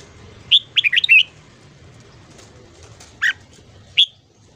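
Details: Red-whiskered bulbul singing in the morning, used for voice training: a quick phrase of four or five bouncing warbled notes, followed by two isolated sharp notes, over faint low background noise.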